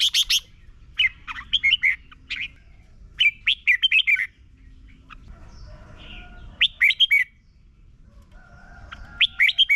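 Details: Red-whiskered bulbul song from Thailand, played to young birds so they learn to sing: repeated bursts of rapid, liquid whistled phrases, each about a second long, separated by short quiet gaps with faint background twitters.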